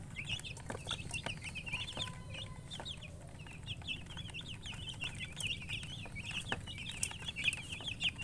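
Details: Baby chicks cheeping nonstop, high wavering chirps tumbling over one another from many birds, with occasional tapping clicks and a deep background hum.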